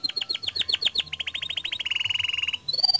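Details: Canary singing as a lure for other canaries: a string of falling chirps, then an even rapid trill sliding lower, ending in a bright high whistle.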